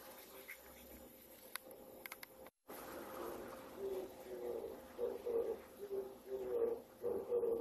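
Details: Male Oriental turtle dove at dawn in early September in Japan, singing in breeding season to attract a female and mark territory; after a brief gap, low mellow coos follow in a rhythmic repeated phrase, with faint background noise.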